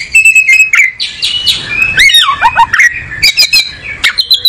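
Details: Loud, varied song of an oriental magpie-robin (kacer): high steady whistles, then a tumbling series of falling and rising slurred notes, closing with short sharp chips and bright whistles.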